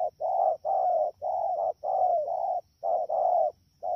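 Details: Wild-caught spotted dove in the rainy season at Đak Tô, recorded 3 October 2019, giving fast, low, hollow coos in close runs, short notes followed by longer slightly falling ones, with brief pauses between phrases and a faint steady hum.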